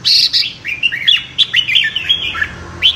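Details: Red-whiskered bulbul in competitive morning singing, used for voice training and to rouse newly caught birds. Bright warbled phrases, rising and falling, come in quick bursts for about three seconds. No other clear sounds.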